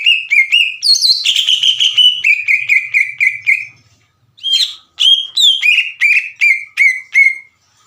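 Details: Green leafbird in lively full song, used as a lure to make other leafbirds sing and answer: loud whistled notes sliding down, repeated about three per second in a rapid chattering series, a brief pause, then more descending whistles.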